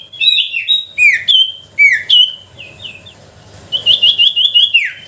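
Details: Sooty-headed bulbul song used as a lure to provoke reluctant bulbuls into singing: loud bright whistled notes, falling slurs and quick rising chirps in bursts, ending with a rapid run of repeated notes.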